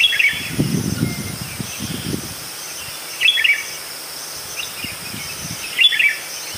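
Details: Red-whiskered bulbul (Pycnonotus jocosus) giving short chirpy warbled phrases spaced a few seconds apart over steady background hiss, with low thumping sounds early on.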